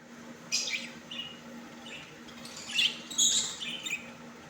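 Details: Budgerigars in a colony: overlapping high, squeaky chirps and short warbled bursts that come irregularly from several birds, with a low steady hum beneath.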